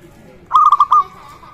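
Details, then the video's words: Local zebra dove singing often, used to lure and arouse other zebra doves. A brief run of about four fast, clipped cooing notes is heard, followed by a fading level tone. "perkutut Lokal gacor suara ini sangat cocok untuk masteran pancingan semua jenis burung perkutut"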